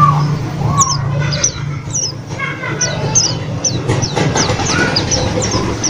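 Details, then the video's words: ['Caged white-eye singing within three days of arriving home from a bird trader; scattered high sharp down-slurred chirps among noisy background with a low hum and murmuring.'] "PLECI baru 3 hari di rumah langsung GACOR"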